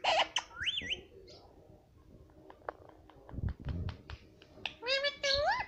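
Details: Indoor pet parrot speaking: a wavering harmonic phrase at the start, scattered sharp clicks through the middle, then a rising multi-tone call in the last second.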